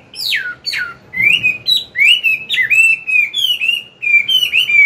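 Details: Chinese hwamei, a mature wild-voiced bird, giving morning song meant to train a young bird; two steep downslurred whistles open a rich run of looping, rising and falling whistled phrases.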